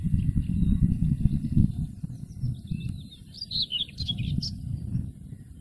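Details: Common whitethroat singing in the wild: one brief, scratchy, chattering burst of high notes lasting about a second and a half, over steady low rumbling wind or handling noise.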